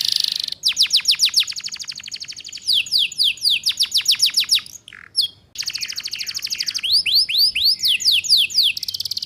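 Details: Female canary in breeding condition, luring males and serving as a tutor for young birds learning 'ngeriwik' song. Rapid metallic trills of quick descending strokes, a short break with clicks, then rising slurred notes and buzzy trills.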